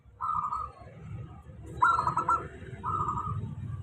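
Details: Zebra dove, a local bird, in a steady lure song meant to coax doves that rarely sing. Three quick stuttering coo phrases, the middle one strongest, sit over a low continuous hum.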